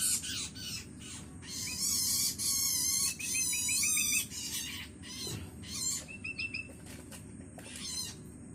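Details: Long-tailed Shrike nestling, hungry and calling its parent, gives loud buzzy rasping begging calls with a wavering, vibrato-like texture in long bursts, then shorter scratchy notes and a few thin whistled sounds.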